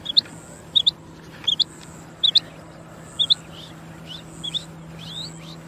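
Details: Rain quail giving clear, high, metallic double notes, each pair a quick 'wit-wit', repeated roughly every 0.7 seconds, six or seven pairs in all, over a faint steady high hum and a low drone.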